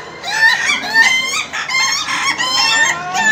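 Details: Laughing chickens at the final of a crowing contest give overlapping bursts of rapid, stuttering, laugh-like crows with bright harmonic notes that rise and fall, several birds calling at once.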